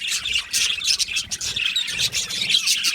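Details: Several Australian budgies in an aviary colony chirping together, a short burst of lively overlapping twitters and squeaky warbles, with a few clear whistled notes.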